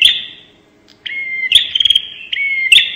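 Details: Bar-winged prinia giving the 'nembak' style call used as a lure, in two bursts: sharp clicking notes over a high, buzzy, level trill that drops to a slightly lower ringing tone, separated by a short silence.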